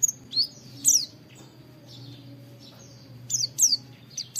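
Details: Oriental white-eye wit wit training recording: a few high, downward-slurred whistles at start and end, with a quiet stretch and low background hum between.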